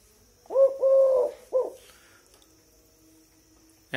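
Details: Eurasian collared dove, tame, calling around eight in the evening: one crisp coo phrase of a short note, a sustained note and a short final note, followed by near silence and a click.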